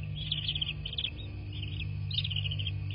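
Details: Nest-cam audio from a bald eagle nest in southwest Florida, late evening: clusters of high, piping chirps repeated in short bursts about every half second, with a continuous low droning hum underneath.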